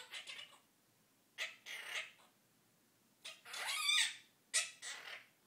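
A monk parakeet gives harsh, raspy squawks in short bursts with brief pauses between them.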